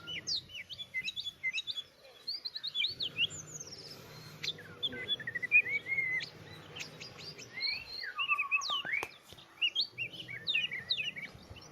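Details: Oriental magpie-robin singing a rich, varied song of quick whistled slurs, rising and falling notes and short chattery trills, delivered in dense bursts with a faint low hum in the background.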